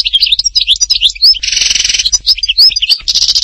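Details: Htatba-style European goldfinch from Tipaza, Algeria, in full song: quick liquid twitters and rising whistles broken by a loud harsh buzzing rattle, then a second buzzy burst at the end.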